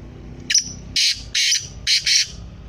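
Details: Kala teetar, the black francolin, gives a rhythmic, rasping call: a short sharp note, then four loud, buzzy, grating bursts in two pairs, spread over about two seconds against a quiet background.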